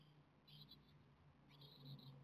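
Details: Japanese tit chicks on the seventeenth day of rearing ask for food with two clusters of shrill, high squeaky notes about a second apart, set against a low, steady humming background.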